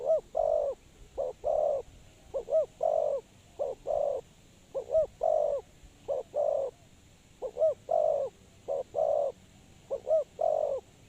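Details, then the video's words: Spotted dove calling as a decoy to lure wild doves into a trap: repeated couplets of a curled lead note and a drawn-out hollow coo, around ten phrases over eleven seconds. "Suara Terkukur Pikat Tua"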